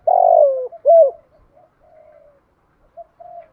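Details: A spotted dove kept as a decoy calls to draw in wild birds. A long, rough, descending coo leads into a short crisp note, then soft, faint trailing coos.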